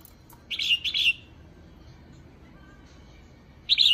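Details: A female red-whiskered bulbul gives two quick, bright, chattering bursts, then a pause before another burst begins, against a quiet background; this call is used to excite other bulbuls.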